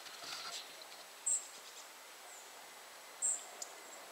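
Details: Tree pipit calling: two short, high, buzzy notes about two seconds apart over a quiet, hissy background.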